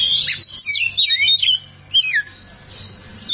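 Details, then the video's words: Kacer (oriental magpie-robin) masteran for tutoring cage birds that sing too little: rapid, sweet whistled phrases with darting slurs, trailing off after about two seconds into soft background hiss and one last short note. "masteran burung Kacer durasi panjang"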